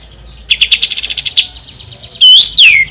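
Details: Ashy tailorbird song, recorded as tutor material for contest songbirds: a fast burst of about a dozen sharp ticking notes near one pitch, then two loud, bright, sweeping whistles that rise and fall.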